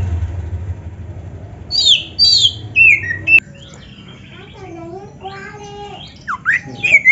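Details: Oriental magpie-robin song used to provoke caged birds into singing: a few clear whistled and slurred notes after a quiet start, a pause with faint lower tones, then a short run of rising whistles.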